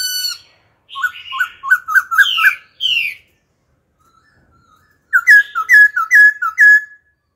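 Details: A mature laughingthrush sings in a wild-type voice, switching voice continuously, with loud, clear whistled phrases of quick rising and falling notes, a brief pause, then more bright repeated whistles; used to stimulate and train young birds.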